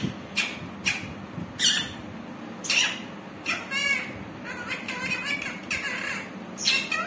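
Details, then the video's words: Green parrot talking: a rapid run of short, harsh, buzzy syllables, some grouped into quick chattering phrases, repeated nearly every second across seven seconds, with soft background hum. "parrot talking"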